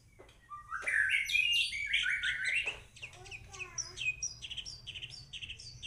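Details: White-rumped shama in full song: loud, sweeping whistled phrases that rise and fall, then a string of quicker high-pitched chirps and trills repeated about twice a second, the notes growing more clipped toward the end over a soft low background hum.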